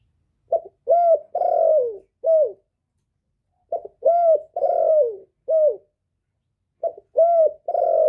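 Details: Male spotted dove calling as a decoy to attract wild doves, no background noise: a four-coo phrase repeated three times at steady intervals, each with a short lead note, rounded coo, long falling coo and clipped end.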